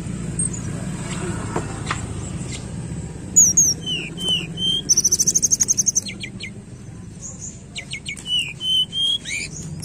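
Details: Tledekan song used as a lure to prompt a reluctant bird to sing: after quiet opening seconds, high thin whistled notes, a fast buzzy trill, then rising and falling whistled phrases at varied pitch, over a low steady background hum.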